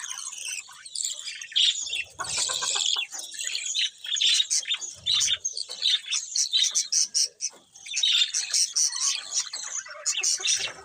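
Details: A group of colourful budgies chirps busily, high twittering and warbling calls overlapping, rising and falling in loudness, with brief low knocks.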